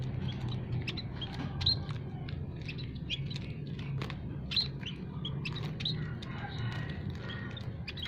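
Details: Captive munias and related small finches in an aviary, a recording used to lure wild birds for trapping: many thin, high chirps and short twitters overlapping continuously over a steady low hum.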